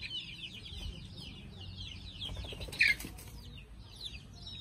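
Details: Chicks getting ready to roost give softer high peeps over a rustling background. One louder, sharp chirp stands out near the middle.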